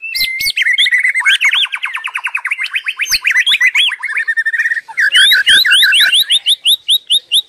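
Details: White-rumped shama (Copsychus malabaricus) singing continuously: a rich, fast medley of whistles, rapid trills and chattering phrases, ending in a series of sharp, rising upslurred notes.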